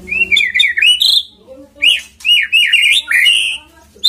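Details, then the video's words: White-rumped shama song used as a lure to get the bird singing: loud, varied whistled phrases sliding up and down in quick bursts, with short pauses between them. "PANCINGAN MURAI BATU AGAR GACOR CEPAT BUNYI"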